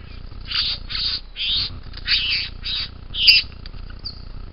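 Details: Young bowerbird calling with about six harsh, rasping, noisy bursts, each roughly a third of a second, separated by short pauses, then a sharp click, over a low steady hum.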